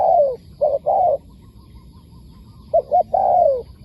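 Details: Wild spotted dove answering a decoy bird: loud cooing phrases, each a quick double note and then a longer, falling, mellow coo, with quiet gaps between them.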